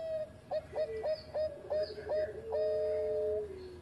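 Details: Lively Bangkok zebra dove, recorded as a master song for training birds: about seven short, evenly spaced coos, then a long sustained note ending with a gentle downward slide. Steady low background hum.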